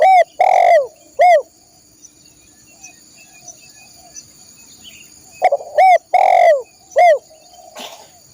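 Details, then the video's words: Spotted dove cooing, used to train caged songbirds: two phrases of loud, hoarse coos, each a quick note, a drawn-out rolling coo and a short falling ending, separated by a quiet gap over a faint constant high whine. "masteran burung tekukur/derkuku"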